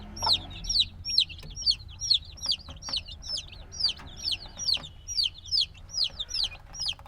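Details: Little black chicks only days old keep up rhythmic shrill chirping, clear descending notes at about two per second with faint softer peeps between and light scratching taps.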